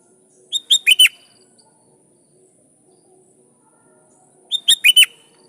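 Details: Sooty-headed bulbul singing loud, calling rivals so wild bulbuls answer: two short bursts about four seconds apart, each of three or four quick chirpy notes ending in a bright falling whistle, faint steady high hiss behind.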